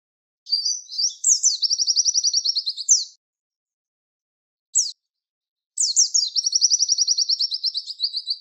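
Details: Javan white-eye tutor song for training songbirds, a 'tembakan wit wit' style: high thin phrases of a few descending sweeps then rapid repeated buzzy trills, two long bouts separated by a pause with a single short note.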